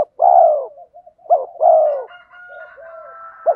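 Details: Spotted dove decoys, male and female, coo to provoke wild birds into answering and fighting. Two long, rough, falling coos each follow a brief hoot, with soft cooing and a thin steady tone in the background.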